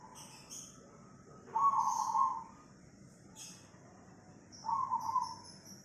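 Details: Cemani zebra dove recorded in Tangerang, Banten, Indonesia, on Monday 24 August 2020, giving two loud, trilled, buzzy cooing bursts near one pitch, each about a second long, spaced about three seconds apart; faint high chirps from other birds behind.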